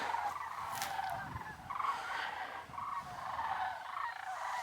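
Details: Sandhill cranes on the near-frozen plains of South Dakota, below 30 degrees, give rolling, rattling bugles, many voices overlapping in a steady chorus with no clear pauses over faint wind noise.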